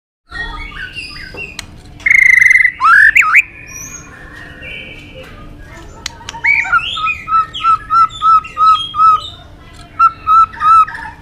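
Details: White-rumped shama giving its fighting song, used to rouse other birds into combative singing; harsh squawking phrases and swoops open, then a run of about ten short, even whistled notes repeated rapidly, over constant low rumbling noise.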